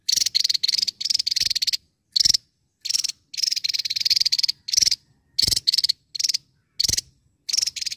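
Javan tesia giving high, rapid rattling bursts of clipped notes, each lasting under a second and repeated with short pauses throughout.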